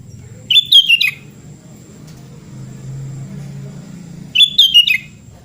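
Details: Sooty-headed bulbul singing, offered as therapy for a bird that has stopped singing: two short, bright chattering phrases of quick bubbling notes, one near the start and one after a gap of about four seconds, over a faint low hum and steady thin high tone.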